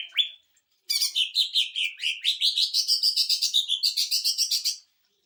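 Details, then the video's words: Greater green leafbird giving a 'sewing machine' burst song, used to tutor and provoke other birds: after a short rising whistle, a fast run of about eighteen sharp, buzzy, chattering notes rises and falls in pitch for four seconds. "CUCAK IJO TEMBAKAN MESIN JAHIT UNTUK MASTERAN DAN PANCING EMOSI"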